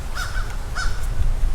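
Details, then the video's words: Crows cawing on a hot, breezy day near a lake in a small Texas town: two harsh, nasal caws about half a second apart, over a steady low rumble of wind and footsteps. "You can probably hear the crows cawing."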